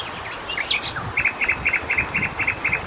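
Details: A common nightingale (Luscinia megarhynchos) sings from hiding in a bush, day or night: a few quick rising whistles, then a rapid run of clipped double notes about six per second, with faint high ticking beneath.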